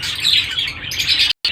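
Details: Several home-bred rose-ringed parakeet babies giving steady, hoarse, scratchy calls that run together without pause, cut by a short silent gap just before the end, then resuming.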